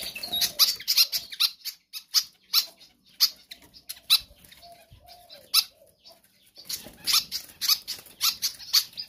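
Pied fantail singing a lively run of thin, squeaky, high chips in uneven bursts, several each second, with a few soft lower notes between.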